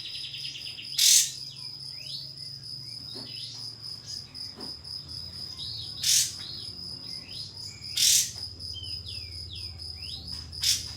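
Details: Pied fantail (kapas tembak) song used to provoke a rival into opening its tail. Four loud, harsh, high bursts are spread unevenly, with faint curved whistles between them over a constant high ringing tone.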